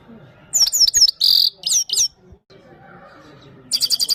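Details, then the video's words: Himalayan goldfinch from Parachinar singing for a female: quick high chirps and downslurred whistles, a buzzy note, a short pause, then a fast run of repeated sharp twitters. "The best himalayan gold finch singing of parachinar top bird"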